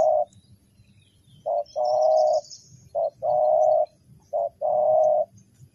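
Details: Spotted dove cooing to lure wild birds toward a trap: three phrases, each a clipped short coo followed by a drawn-out, throaty coo, spaced about a second and a half apart, over a low steady hum.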